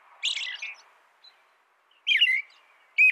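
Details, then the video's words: American robin giving a few warbled song phrases separated by a long pause, with a faint low background hum. "canto de robin americano AMERICAN ROBIN"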